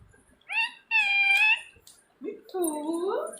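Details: Rose-ringed parakeet gives two bright, harsh squawks. A lower, mellower drawn-out voiced sound follows, possibly a person speaking.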